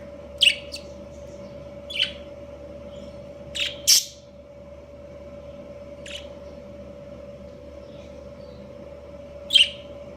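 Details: Budgerigar breeding pair chirping: short, high, sharp tweets spaced irregularly every one to two seconds, with a close double chirp midway, against a constant low humming background.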